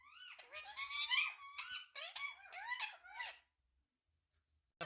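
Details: Indian ringneck parrot answering its owner in a first talking session: a fast run of squeaky, wavering speech-like syllables with rising and falling pitch for about three and a half seconds, then silence.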